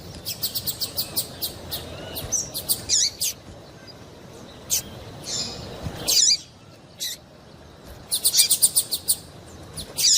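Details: Female double-collared seedeater piping to make a male eager to sing: a fast series of thin, high tick notes, pauses with scattered chips, then bright, squeaky chirp bursts and another quick ticking run near the end.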